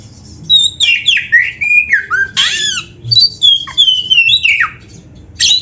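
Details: Oriental magpie-robin in lively training song for caged birds: long sweeping whistles gliding downward, sharp upslurred notes and crisp chips strung into continuous varied phrases.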